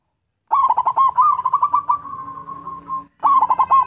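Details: Zebra dove of a local strain in full song, used as a lure for other doves: quick stuttering coos run into a long, steady, rolling trill. A fresh burst of staccato coos follows after a brief break.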